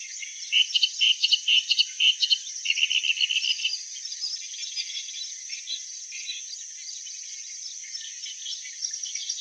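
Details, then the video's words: Slow chattering kereet-kereet song of a clamorous reed warbler: a loud burst of rapid, rasping notes over the first four seconds, fading into quieter, scattered chatter beneath steady high hiss. "Sound of Clamorous Reed Warbler"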